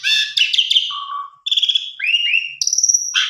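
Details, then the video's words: An Asian pied starling sings a rapid medley of harsh buzzy chatter, low slurred notes and clear rising whistles, packed into about three seconds; the song is used as a lure to get other birds singing. "Pancingan Jalak Suren Biar Bongkar Isian"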